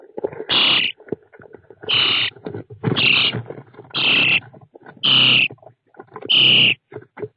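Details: Common starling chicks in a nest box fitted with an IP security camera, 29 June 2017: a steady run of six loud, raspy, hissing calls roughly once a second, with scuffling and shuffling between them.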